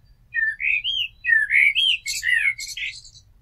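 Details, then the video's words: Turdus merula delivers a continuous stream of rich whistled and warbled notes for about three seconds, the last part turning into rapid scratchy high twittering. "Amsel Gesang - Merle Noir Chant - Blackbird Song - Mirlo Cantando"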